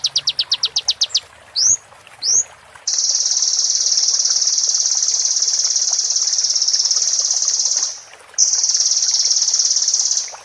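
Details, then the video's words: Van Hasselt's sunbird (konin), a master recording with roll and 'tembak' song material for a moulting bird to learn. Rapid high pulsed trill, then two sharp rising notes, then a long even high buzzing trill, briefly broken. "MASTERAN KONIN FULL ISIAN ROLL TEMBAK PART 2"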